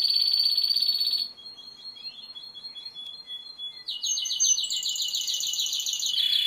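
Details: Timbrado canary song: a steady high trill, a softer stretch of thin whistled notes, then a loud, fast, rolling series of repeated bubbly notes that continues to the end.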